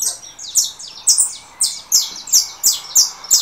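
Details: 'Russo' saffron finch, emerging from moult, answering a canary played on a phone: loud, high, bright chirps delivered in regular bursts about three times a second.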